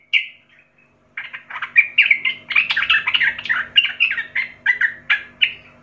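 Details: A single clear note opens, then a young wild sooty-headed bulbul sings a dense, fast stream of bubbling, slurred whistles and chatters.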